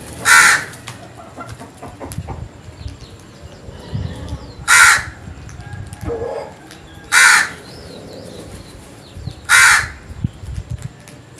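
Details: Series of four loud, hoarse caws from a crow in the morning, spaced about two and a half seconds apart, with a softer call in between and a low background rumble.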